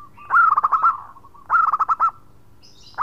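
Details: Actively singing local zebra dove giving its 'khong crewet' call to companions: two loud, rapid bursts of about seven staccato coo notes each, over a second apart, then the start of a third.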